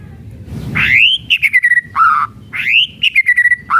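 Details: A murai batu (white-rumped shama) sings kretekan phrases: a bright rising whistle, a rapid burst of short notes, then a deep fluty note. The pattern repeats about every two seconds.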